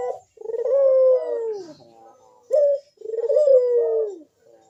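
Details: Deep bekur-style cooing from a Barbary dove, used to coax other puter doves into song: two long, drawn-out falling coos with a brief sharp note between them, in a quiet indoor setting.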